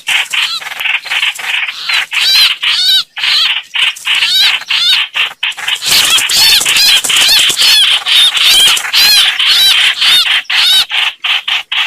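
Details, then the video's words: Lure audio of streak-eared bulbul, meant for trapping: rapid squeaky chatter with wavering whistled slurs, loud and nearly unbroken, growing busier about halfway through. "Tiếng chim hoành hoạch mồi chuẩn"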